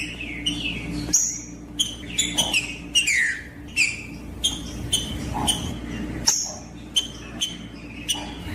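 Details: Female green-winged saltator chirping, used to stir a cold, silent male into singing, with a male also singing. Repeated short sharp chirps and downslurred whistled notes, about ninety a minute, over a steady low hum and background noise.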